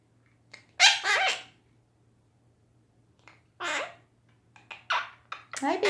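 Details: A pet female Quaker (monk) parakeet sings and chatters in short, bright, harsh bursts with speech-like phrases, being silly and talking away.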